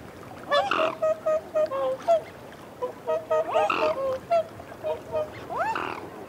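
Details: Whooper swans calling up close while feeding on a bank, with reassurance calls: two bursts of rapid, clipped bugling honks, roughly four per second, ending in a rising upslurred note.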